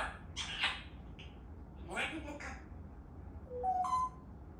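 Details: African grey parrot talking in short speech-like phrases, followed by a pure rising two-note whistle near the end, indoors with little other noise.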